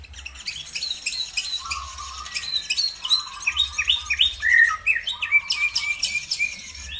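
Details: Bird song used to provoke other birds to sing along: lower whistled notes mixed with high rising and falling chirps and clicks, growing busier and louder midway, with a constant low background hum.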